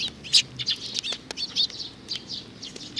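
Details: Young sparrow uttering quick, high, slightly buzzy chirps, several per second in an uneven sequence.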